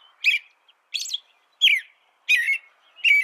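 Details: Five evenly spaced, rich, whistled phrases from an American robin, each slurring downward with a thin, high overtone, separated by short silent pauses.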